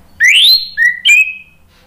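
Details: Three clear whistled notes from an orange-headed thrush, played to coax other birds into answering: a long rising whistle, a short flat lower one, then a slightly falling high note.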